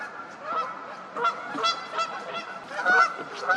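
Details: Loud honking from Canada geese getting into a fight, a short stretch of nasal, overlapping honks in quick succession, peaking near the end.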